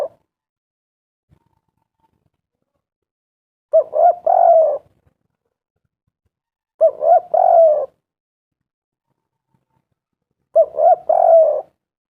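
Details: Vigorously calling spotted dove, played as a lure to prompt doves to answer. Three cooing phrases come at about three-second intervals, each a quick pair of soft hoots followed by a drawn-out, gently falling coo. There is silence between them.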